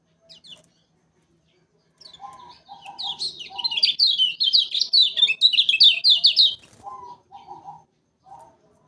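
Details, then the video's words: Lemon-bellied white-eye from Lombok, a bird kept for song contests and played here as a trapping lure: a rapid, loud stream of high twittering notes for about four seconds, framed by lower, repeated buzzy triplets. "Kecial Kuning Lombvok Paling Cepat Untuk Pancingan Pikatan Burung Kecial"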